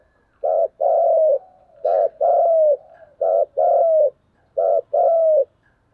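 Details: Spotted dove in a fighting-coo bout, 'thúc gù' style: three low, hollow two-part phrases, each a brief coo then a drawn-out, slightly falling one. The phrases come about every one and a half seconds, steady and loud.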